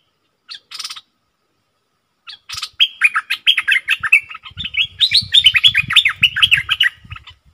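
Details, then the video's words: Bulbul used as a decoy for wild birds: brief buzzy bursts, then a fast run of chirping, slurred notes over low rustling. "เสียงนกดอกแตงEp.58Birds soundsรวมคลิป นกต่อ ร้อง&ริก!!!ใส่นกป่า merbah lekir gacor"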